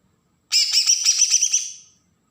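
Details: Bornean green leafbird, Kalimantan, singing its agitated besetan song used as a lure for young birds: one dense burst of about one and a half seconds of fast, harsh, buzzy high-pitched chattering.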